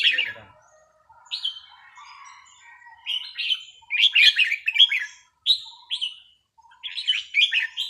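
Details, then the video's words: Red-whiskered bulbul kept in a cage, practised on an idle day, gives short rich whistled phrases separated by pauses, some slurred and rolling, with soft lower chirps from other birds between. "ซ้อมนกกรงหัวจุก วันว่างๆ"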